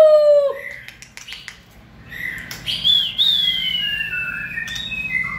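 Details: White-rumped shama in peak fiery form during the 2020 season, singing a sequence of loud whistles: a sliding low note, then long, clear, gently falling high whistles, with brief clicky notes between phrases.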